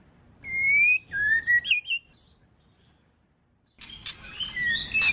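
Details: White-rumped shama, a female singing to stir a male into song. A few clear whistled phrases, some rising and some dipping, are followed by a quiet gap. Then comes a burst of scratchy, mixed notes.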